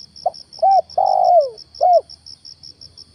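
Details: Lure spotted dove during a morning trapping outing, giving one cooing phrase: a short note, a hooked coo, a long drawn-out coo sliding downward, then a final hooked coo, with rapid cricket pulses behind.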